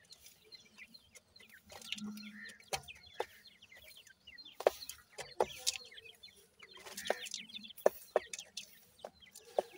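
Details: Grey francolin family, five chicks and parents foraging in the open; repeated high thin descending notes in clusters, some low soft clucks, and frequent crisp ticking sounds.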